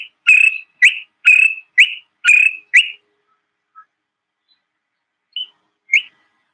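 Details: A honeyguide's call, heard as 'victor, victor', played back to visitors at a safari waterhole: six clear, high, whistled notes, about two per second, then after a pause two fainter, shorter notes.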